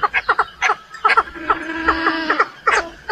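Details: Chinese francolin hen calling to lure males, giving clipped, nasal clucks in small clusters, then a sustained, buzzy, wavering note pulsed by repeated sharp clucks before a final short burst.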